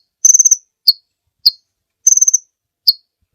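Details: Short insect-like rattling trills alternate with single downslurred sharp chips, all very high and thin, in this lively kolibri ninja sunbird song used to train other birds.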